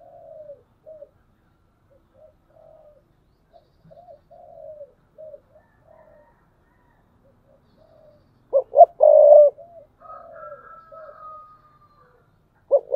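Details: Decoy spotted dove, thúc bổi style. Many faint, scattered low coos, likely from other doves, run throughout. One loud phrase of two gruff short notes and a long coo stands out, along with a thin higher whistle and another loud note at the end.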